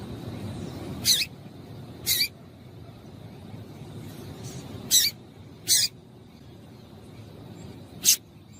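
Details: Female double-collared seedeater calling to stir a male into singing: five short, sharp, high-pitched chip notes spaced irregularly over about eight seconds, over a faint low background hum.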